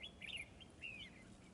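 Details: Red-whiskered bulbul at a trapping setup, billed as an aggressive fighting bird: two clear whistled, warbling phrases, the first rising then dipping, the second a sliding, slurred note, over low background hum.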